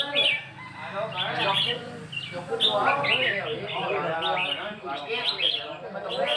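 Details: Red-whiskered bulbul (Pycnonotus jocosus), song.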